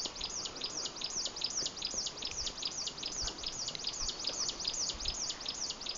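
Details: Territorial adult Chinese leaf warbler at Old Peak in Hebei, China, delivering rapid, high-pitched, sharply descending notes in a regular run, roughly 150 per minute, clear above quiet ambient noise.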